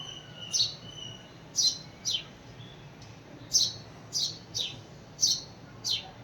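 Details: House sparrow calling to bring another sparrow, with loud, crisp chirps that drop in pitch, about eight notes in uneven succession against a faint low hum.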